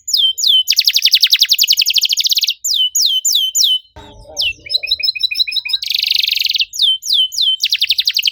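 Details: Canary song with bursts of dense buzzy trilling alternating with clear downslurred whistles, interrupted midway by a short stretch of lower chattering notes.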